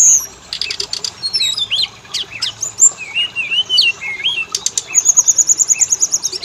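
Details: Oriental magpie-robin lure song meant to set males and females singing; sharp whistles and looping slurred notes give way to a fast, even run of high repeated chips near the end.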